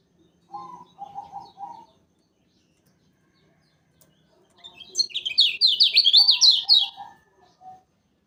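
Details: Lemon-bellied white-eye of Lombok on a lure recording for bird-catching: a few soft, low warbled notes, then a pause, then a loud fast run of high chirps lasting about two seconds, ending with quieter lower notes.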